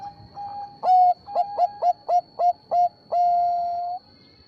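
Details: Bangkok-type zebra dove song used as a lure to draw replies from other zebra doves: a faint lead-in tone, then a loud note, five short clipped coos in quick succession, and a long level drawn-out final note.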